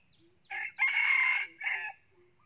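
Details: Decoy Red Junglefowl rooster, about nine months old with red plumage, described as a frequent crower; one loud hoarse crow in three parts: a short opening burst, a long sustained middle note and a clipped ending, with faint background birds.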